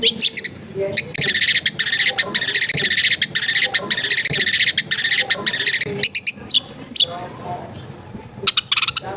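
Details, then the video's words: Long-tailed shrike recorded at a home in a densely populated area, used as therapy for a bird that will not sing: loud harsh rasping bursts repeated in quick series, broken by brief pauses, with a few thin notes near the end. "TERBUKTI TERAPI CENDET MALAS BUNYI LANGSUNG NYAUT"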